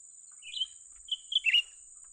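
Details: Young cucak ranting bulbul at a trapping site: a soft chirp, then a quick string of three slurred notes ending in a buzzy falling note, with a continuous high whine behind.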